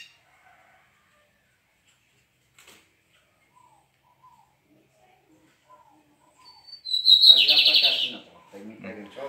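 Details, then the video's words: Lined seedeaters (bigodinhos) duelling, one singing to the other since morning on 17 May: after near silence, a fast, high, buzzy trilled phrase lasting about two seconds, then lower chattering notes. "DUELO DE BIGODINHOS"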